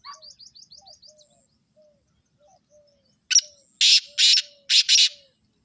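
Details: Black francolin calling: four loud, harsh rasping bursts in quick succession. Before them come a run of thin high chirps and soft, low, slurred whistles spaced about half a second apart.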